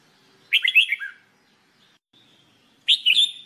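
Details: Red-whiskered bulbul in singing training, delivering a rapid warbled run of several notes that drops at the end, followed after a pause by a bright rising three-note phrase.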